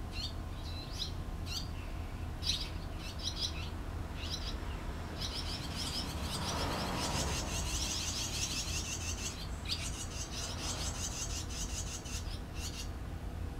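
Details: Nest of barn swallow young being reared by the adults, 6 June 2013: scattered high chirp bursts build into a dense, continuous shrill chorus for several seconds before breaking back into separate twitters, over low background rumble.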